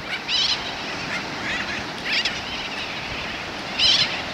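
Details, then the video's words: Sooty terns at Ned's Beach, Lord Howe Island, in 2022 give harsh, nasal, high-pitched calls in three loud bursts about every one to two seconds, over steady surf and wind, with more distant birds calling. "Sooty Terns"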